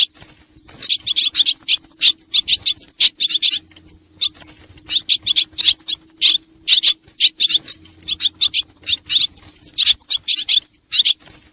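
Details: Sound used in Laos to lure swallows, Xieng Khouang kind: dense, almost continuous high buzzy twittering, many chirps per second in loose groups, over a faint constant low hum.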